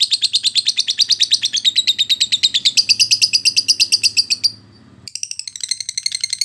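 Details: Lovebird of the timi kind, used as training audio for fighter-class birds; a long rapid trill of sharp high notes rising slightly midway, a brief pause, then a fresh burst of chattering.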